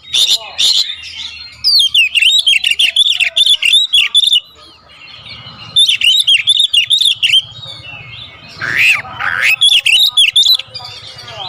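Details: Oriental magpie-robin (kacer) singing a vigorous full isian song: runs of rapid, clipped whistles about three or four per second, broken by brief pauses and a harsher, rasping passage.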